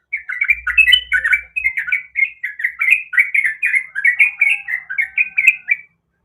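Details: A female sooty-headed bulbul calls for a male with a lively, unbroken chatter of bright bubbly notes for nearly six seconds, ending abruptly.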